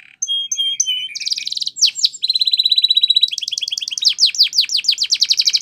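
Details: A Spanish Timbrado canary delivers champion training song: clear pure whistles, a buzzy roll, a steady chain of even notes, then fast sweeping trilled phrases.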